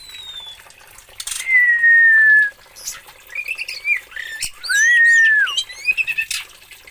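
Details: Oriental magpie-robin from Aceh singing: a long, clear, slightly falling whistle, then a jumble of short warbled notes and a second arched whistle, with a few sharp clicks in between.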